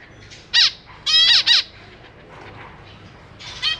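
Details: A caged zebra finch family on 4 May 2023, parents feeding three juveniles and three new chicks; a loud nasal call, then a pair of strong downward-slurred calls, and softer chatter at the end.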